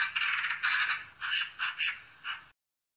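Eurasian Magpie giving harsh, rattling chatter in about six rough bursts over two and a half seconds, with no other clear sounds.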